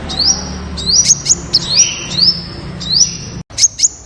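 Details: Temminck's sunbird song of high, thin upslurred whistles held as long hissing tones, with sharp ticks between them and a brief dropout near the end.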